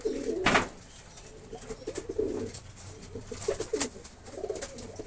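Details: Kept pigeons in a rearing loft giving deep, rolling coos in several overlapping phrases. A loud flapping burst near the start is followed by softer clicks and shuffles between the calls.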